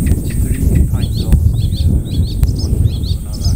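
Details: Icterine warbler in early July, known locally for mimicking other birds, giving short repeated upward-flicked whistled notes in quick series over a low background rumble.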